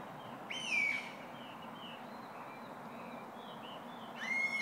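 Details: Wild birdsong at Otsuki, Yamanashi, Japan, on a bright morning on 5 May 2012, rising above expressway traffic below: two loud whistled notes, each sliding slightly downward, with faint chirps from other birds between them and a steady road hiss.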